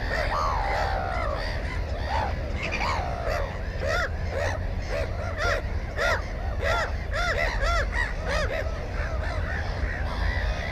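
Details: At a Black-headed gull nest with an egg and a newly hatched chick, a GoPro 4 picks up a crowded chorus of short, hoarse, arching cries overlapping constantly, over strong low wind rumble.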